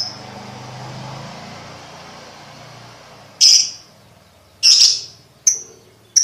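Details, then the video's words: Ticking lovebird, used to coach young birds toward fast trilling: after three seconds of low rumbling background noise come four sharp high-pitched chips, the last two shorter and clipped. "Lovebird Ngetik Ngetik Untuk Pacingan Paud Cepat Ngekek"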